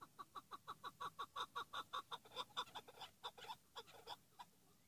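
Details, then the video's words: Loud repeated chuck-chuck notes from a chukar partridge, nearly three a second in a steady pulsing run that turns more ragged and quieter after the midpoint, with no other clear sounds. "keklik sesi dinle sadece pat"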